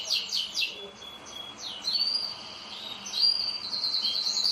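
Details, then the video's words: Pet canaries kept at home sing high whistled phrases that alternate with quick buzzy trills, with louder bursts in the first second and again near the end. "UM POUCO DOS MEUS CANÁRIO FAZENDO BARULHO!"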